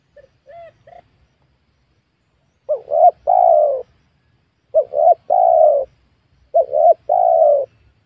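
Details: Wild spotted doves lured at a newly worked small oil palm plot, cooing phrases of three low notes, two short then one longer, repeated about every two seconds, with softer coos earlier.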